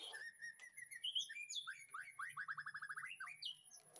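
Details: White-rumped shama singing in a backyard breeding aviary in the afternoon, used as a master song for training: varied clear whistles and slurred notes, then a fast even series of repeated chips ending in rising whistles.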